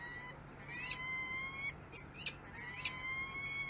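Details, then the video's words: Peregrine falcon in Harrisburg, USA, giving long, thin, slightly rising whined tones broken by sharp stacked chip notes, with a constant low hum underneath. "Sokół wędrowny"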